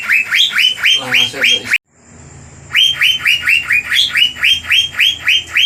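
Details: Asian fairy-bluebird (cucak biru) pouring out a fierce 'gacor' lure song to rile rival birds. Steady bright slurred notes come about three a second, break off in a brief gap, then resume in a long even series.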